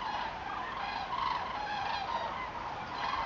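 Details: Common cranes migrating in October 2014, a flock giving a dense, continuous chorus of overlapping rolling, trumpeting calls with no pauses between them.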